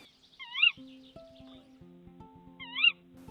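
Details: A female Tawny Owl incubating eggs in a woodland nest in North Yorkshire, UK, calls to her mate for food: two sharp, squealing calls, each bending up then down, about two seconds apart, over soft background music.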